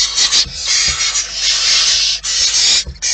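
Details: Wild barn owls at the nest producing an almost continuous rasping hiss, with overlapping breathy screeches, only a few brief dips, and faint rustling underneath.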